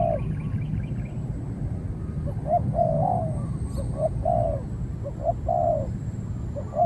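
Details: Decoy-trained spotted dove confronting a wild dove that stays back before being driven off: hoarse cooing phrases, short notes leading into longer drawn-out coos, a faint twittering bird at the start and a thin high whine throughout.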